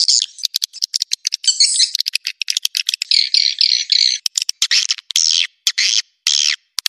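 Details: Swiftlet roosting lure call made of rapid sharp clicks mixed with longer harsh, buzzy chattering notes. It is entirely high-pitched and clean, with no background noise.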